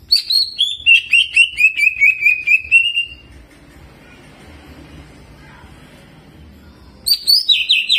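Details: Greater green leafbird in emotional jamtrok song with ciblek mimicry, a warm-up recording for training: three seconds of rapid, descending chirped notes, a pause with only soft background rumble, then the chirping bursts in again.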